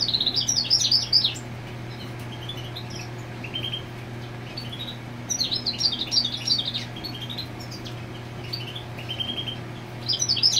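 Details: European goldfinch marking territory while a female sits on the nest: bursts of fast, tinkling high twitters and trills around the start, middle and end, separated by quieter pauses, over a steady low hum.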